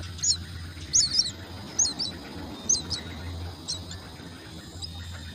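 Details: Common myna chicks at the nest being fed, giving thin high chirps in short clusters roughly once a second, fairly irregular, over a steady low hum.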